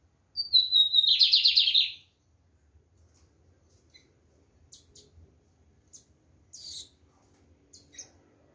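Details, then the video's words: Lined seedeater singing strongly: one phrase of a brief descending whistle followed by a dense, quick buzzing trill, then several seconds of scattered faint high ticks and clicks. "Bigodinho Preto cantando firme e lindo!"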